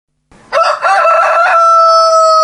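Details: A rooster crows loudly in the morning, recorded with an external microphone: a harsh, stuttering start settling into a long, steady, ringing note held to the end.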